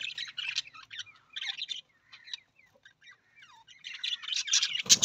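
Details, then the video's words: Australian parrot known as the budgie: scratchy twittering notes interspersed with clear downward-slurred whistles in the middle, building again into a busy, rasping warble at the end. "Australian parrot voice Budgies parrot voice"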